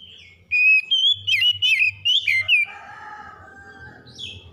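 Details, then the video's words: Magpie-robin singing in the morning: a burst of six or seven loud, warbling whistles, some sliding up and down sharply, then quieter trailing notes over faint background noise. "PEMULIHAN KACER SETRES DENGAN KICAUN PAGI CEPAT GACOR"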